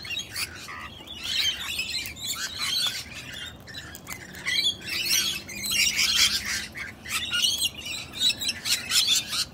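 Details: A wild female sulphur-crested cockatoo, jealous and defending her mate from a person's attention, gives harsh, loud, grating screeches and squawks in rough bursts throughout.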